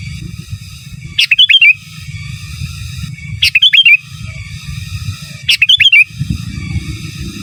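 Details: Sooty-headed bulbul heard in a master recording, giving three quick bubbly phrases of rising and dipping whistled notes about two seconds apart, backed by low droning noise.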